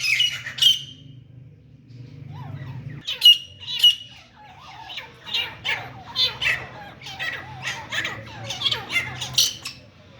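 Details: Grey francolin, known as teeter or grey partridge, heard while fighting: a few sharp, high squawking notes at first, then after a pause a steady string of harsh, buzzy calls over a low humming background.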